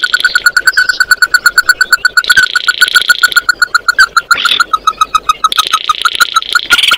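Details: Continuous fast, evenly pulsed ringing notes from an Oriental white-eye calling the flock, with overlapping buzzy chatter throughout.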